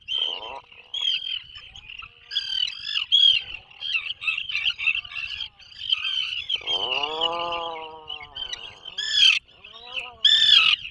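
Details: Atlantic puffins in a breeding burrow 21 miles off the Maine coast, 2024: scattered rasping chatter, then a long arching harmonic groan, then sharp broadband bursts near the end.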